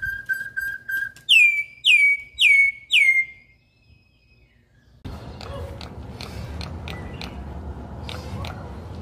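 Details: A Campo troupial sings a wild song: four soft low notes, then four loud, rich whistles that slur downward, about half a second apart. Steady hiss and clicking noise follow.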